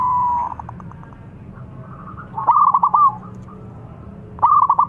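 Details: Local zebra dove in lively full voice, a luring call, giving short staccato trilled coos: a bright phrase early, then two rapid bursts of clipped notes about two seconds apart, with a faint low hum underneath.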